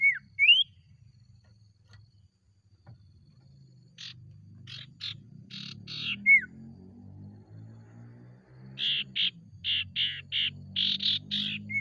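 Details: Ashy tailorbird lure song meant to set other tailorbirds singing: a short falling whistle, then two bursts of rapid buzzy, rasping notes repeated about three per second, with a low rumbling hum underneath.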